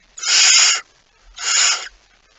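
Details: Two harsh hissing screeches, the second shorter and softer, from a barn owl at its nest with prey, recorded just after midnight on 23 September 2019.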